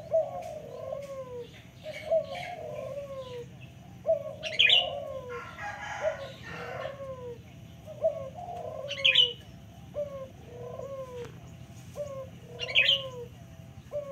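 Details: Local turtle dove giving a steady run of low, falling coos about every two seconds. Sharp high chirps from another bird and a brief rough burst of noise midway.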